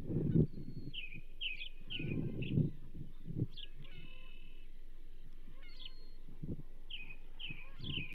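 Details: A whole whitefish reaches the banded female osprey at the Charlo nest, 27 April 2024. Paired and triple whistled chirps, short and downslurred, come in scattered bouts with quiet gaps, and dull thumps and rumbling sound beneath.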